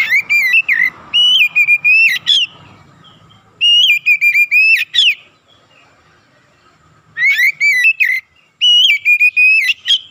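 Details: Energetic song of an Oriental magpie-robin, meant as a lure to rapidly stir up kept birds: repeated bursts of rich, warbling whistles with sharp upslurred notes, four phrases with gaps between them, and faint background rumble.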